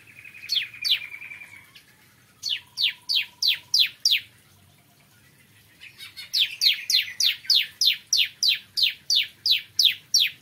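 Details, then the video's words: Bar-winged prinia in morning song: a brief buzzy trill with notes, then phrases of sharp, high, falling notes, first a run of six, then after a pause a longer even string of about fourteen. "Kicauan Ciblek Kristal Dipagi Hari"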